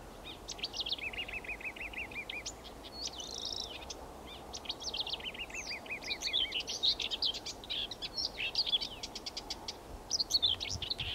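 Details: A marsh warbler at Tartu-Maarja, Tartu, Estonia, sings a fast, continuous medley of high chatters, buzzy trills and sharp notes, with rapid repeated phrases and quick pitch changes.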